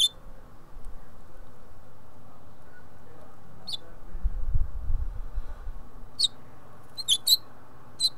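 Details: Five house finch nestlings in the nest give thin, high chirps in brief scattered bursts a few seconds apart, with a low rumble of handling or wind noise through the middle.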